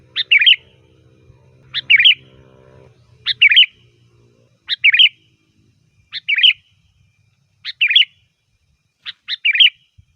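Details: Sooty-headed bulbul singing loud, varied song used as a lure to call bulbuls: seven short, bright whistled phrases of quick notes, repeated about every one and a half seconds, with a faint low hum early on.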